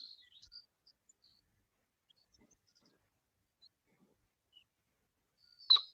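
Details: Anna's hummingbird singing its soft, buzzy song in a field in the morning: high, scratchy buzzes and thin squeaks scattered over several seconds, ending in a sharper buzzy burst, with song sparrows in the background.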